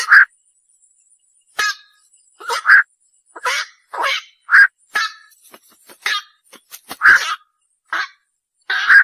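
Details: Black-crowned night heron giving harsh, croaking single calls, each short and hoarse, spaced irregularly about every half second to second, with quiet gaps between them.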